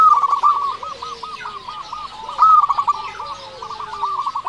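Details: Local zebra dove song played to lure other doves: a continuous stream of rapid rolling coos, swelling louder midway, with a fainter second dove cooing underneath.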